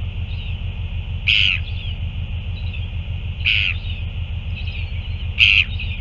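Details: Northern royal albatross recorded on 9 February 2024 around a feeding; three short harsh bursts, roughly two seconds apart, stand over a steady low hum and a constant high hiss.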